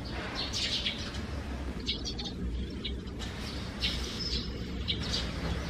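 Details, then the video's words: Morning chirping of sparrows from a nest inside a gutter opening beneath a roof's eaves, June 2020: bright, brief chirps in loose clusters, partly buried under constant low-pitched background noise. "[참새]지붕 처마 아래 참새 집(sparrow house under eaves)."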